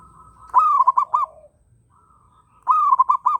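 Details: Cooing of a local zebra dove in strong breeding condition, other birds joining in: a steady hum-like tone breaks into a rising note and three quick rolling coos, repeated after a pause of about one second.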